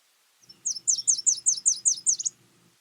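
A Nashville Warbler sings a rapid run of about eight high, sweet, down-slurred notes in under two seconds, with a faint low hum beneath.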